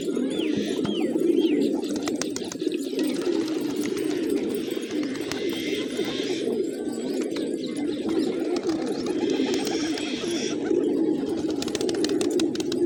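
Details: Flock of village pigeons eating grain in the morning, steady low throaty cooing from many birds at once, with a few brief higher whistled notes near the start.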